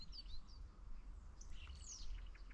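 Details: A single common starling, this year's first, in an exceptionally warm, wet February winter (17 Feb 2024, after overnight rain), sings a jumbled song of thin high whistles, short chirps and a long falling whistle, imitating varied calls like several birds at once, over a low rumble.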